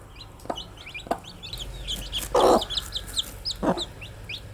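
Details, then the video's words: A flock of baby chicks peeps in rapid high chirps, with a few soft knocks and one louder rustling burst midway. "Cute Baby Chicks with chirping sound"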